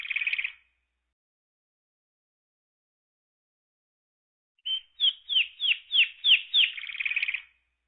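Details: Bird singing on a farm: a brief buzzy trill, then a long silence, then a quick series of about seven sharp downslurred whistled notes that runs into a buzzy trill, with no other sounds.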